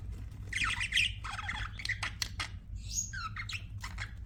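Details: Pet budgerigars chattering: buzzy warbled phrases and sharp clicks, then a higher whistled squeak, with a low hum in the background.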